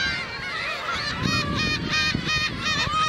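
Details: Black-tailed gulls at Okuki, Hachinohe, Japan, on 9 June 2013, a sunny day with fog rolling in later, with a man feeding them; many overlapping nasal mewing calls over a low background rumble.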